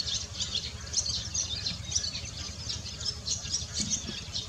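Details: Barn swallows (Hirundo rustica) at Baisha, Wangshan, recorded on 14 March 2018: a steady stream of high, thin twittering chirps overlapping throughout, over a low rumble of background noise.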